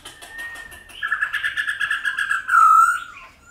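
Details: Laughingthrush singing in the mature 'old forest' voice, played to stimulate and train wild-caught laughingthrushes to sing: a steady whistled note gives way to a rich, warbling phrase, then a loud, bright downslurred whistle.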